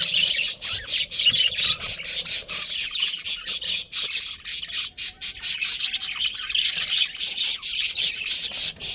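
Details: Budgerigar colony with a breeding pair, chattering nonstop: loud, buzzy, scratchy high chirps pulsing roughly twice a second, several birds overlapping throughout.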